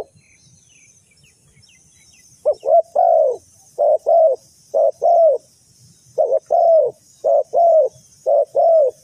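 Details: Spotted dove used as bait for bird trapping. After two seconds of quiet it gives a steady run of paired, soft, hollow coos, short then long, with faint distant chirps and a high hiss behind.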